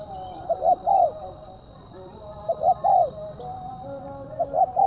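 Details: Kuk 1 style tekukur, or spotted dove, sung crisp and tight to bring doves down: three phrases of short paired notes ending in a drawn, falling coo, spaced about two seconds apart, over steady electronic hum.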